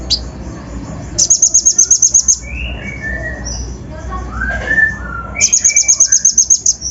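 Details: A Van Hasselt's sunbird lure song, the coarse fill-in style used to stir up untrained birds, with two fast runs of piercing high ticks. Softer lower whistles and slurred notes sound in the gap between them.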